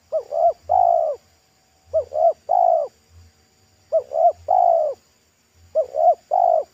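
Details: Spotted dove, a wild local bird with a full, loud pesom-like voice, calling at a roadside. Four tightly spaced phrases of two short coos and one long coo, repeated roughly every one and a half seconds, with low thumps.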